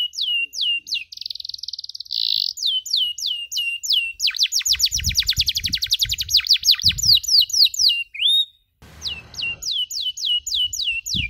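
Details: Canary master recording for young canaries learning the cuit cuit sound: rapid repeated downslurred chirps, a buzzy steady trill, dense fast rattling series and a rising whistle, with faint low thumps in the middle.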